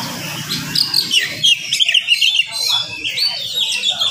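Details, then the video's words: Oriental magpie-robin singing vigorously in the morning at a rapid, dense pace to agitate other magpie-robins; clear rising and falling whistles in short bursts, with a low hum at the opening. "SUARA KACER GACOR DIPAGI HARI SPEED RAPAT cocok untuk naikin emosi kacer yang dengar"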